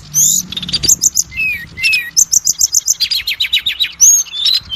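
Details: Kacer, the Oriental magpie-robin, singing a lure song meant to set other kacer singing: high sweet whistles and then a fast series of sharp repeated chirps, with slurred notes between, all crisp and bright.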